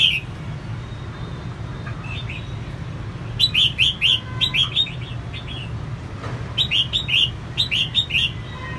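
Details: Red-whiskered bulbul female, kept to rouse males: brisk phrases of three or four clear, bubbling whistled notes, repeated after pauses, with a constant low hum and a few faint tones beneath.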